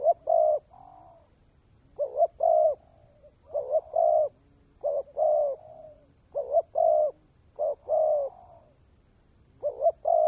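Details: Spotted dove kept as a decoy, cooing in the 'kèm dày' manner: a steady run of mellow two-part phrases, a brief wavering note then a longer flat coo, about every one and a half seconds.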